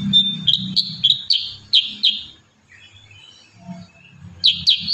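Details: Kurincang pouring out a rapid series of bright, high, downslurred whistled notes with a short pause before the run resumes, over soft low murmuring.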